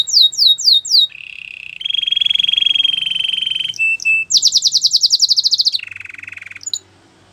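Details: Belgian canary singing a varied song of separate tours: fast rising upswept notes, a long steady buzzy trill, a higher rapid pulsed roll, then a lower rolling trill, each section running for about one to two seconds.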